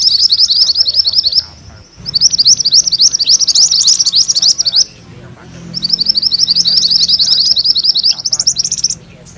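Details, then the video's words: Full-roll ngerol song of a mantenan kuning, chosen as master material for magpie-robins: three long bouts of rapid, high, sharply repeated chirps separated by brief silent gaps, the last ending in a quick rising flourish. "Suara MANTENAN KUNING ngerol"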